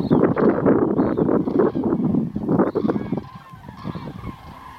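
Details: Migrating flock of common cranes heading south on 9 November 2014 as winter comes gives loud, rolling trumpeted calls that overlap rapidly for about three seconds, then fade to scattered quieter calls.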